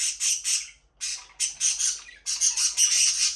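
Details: Aviary budgerigars give loud, harsh, high-pitched squawks and chirps in quick bouts, each cluster lasting about half a second, with short gaps between.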